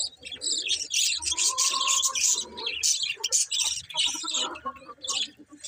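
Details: Budgerigars keep up a busy, scratchy warble of high chirps and squeaks, the notes tumbling over one another with little pause.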